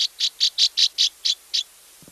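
Northern Rough-winged Swallow giving eight short, burry chirps in a quick, even series of about five per second, followed by a faint low thump.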